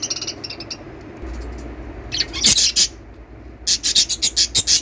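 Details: Lovebird chirps: rapid high, harsh notes in bursts of several per second, with pauses and a constant low hum beneath.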